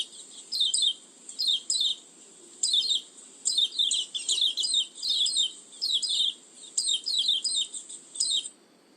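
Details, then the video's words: Oriental white-eye (pleci) lure call, used to attract birds: very high, thin, rapid twittering bursts of about one second, repeated every second or so over a steady faint background hiss. "Suara pikat burung pleci"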